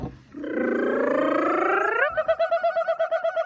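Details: Kookaburra laughing: a sustained, rich harmonic chuckle swells and rises for about a second and a half, then breaks into a quick run of evenly pulsed hoots, roughly eight per second.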